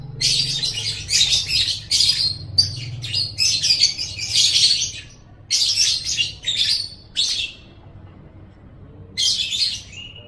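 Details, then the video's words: Lovebird chattering song meant to train pet birds' voices: rapid harsh, high twittering phrases in bursts, a quiet pause near the end, then another burst, over a faint low hum. "Masteran Suara Burung Love Bird 7"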